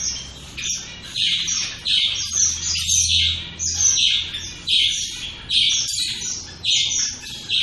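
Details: Group of shaft-tailed finches giving loud, clipped chirps roughly once a second, each with a sharp high edge, mixed with softer chattering notes; a faint low rumble underneath.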